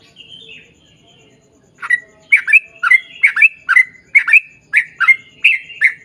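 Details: After a soft whistled lead-in, a Sooty-headed bulbul breaks into fast 'ropel panjang' singing: doubled, snapping chirps repeat steadily, about two and a half per second.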